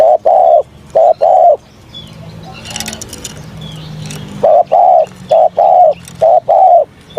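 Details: Morning voice training of a spotted dove: deep, mellow coo pairs, a short note then a longer one. A burst of noise and muffled voices interrupts the middle, and the rhythmic cooing then returns.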